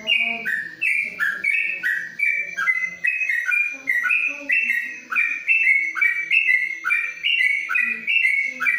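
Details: Yellow-vented bulbul singing a long 'ropelan' from inside a cage cover: steady runs of clear, whistled notes that alternate between higher and lower pitch, delivered rapidly in an unbroken rhythm, with soft low noise beneath.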